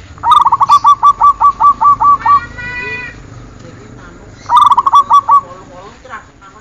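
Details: Zebra dove (perkutut) on a training recording. A long, steady string of about twelve clipped coos is followed by a brief tonal sound and a second, shorter rapid phrase.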